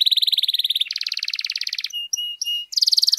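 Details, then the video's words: Long-singing canary, a recording used to train and provoke other canaries: very fast pulsing trills at two pitches, a few sustained thin whistles, then another rapid high trill. "KENARI GACOR DURASI PANJANG BUAT MASTERAN DAN PANCINGAN KENARI"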